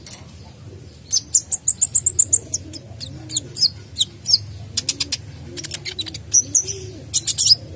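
A sunbird sings a fast run of high, thin, even notes, then sharp scattered chirps and downslurred squeaks. Soft low cooing sounds faintly behind.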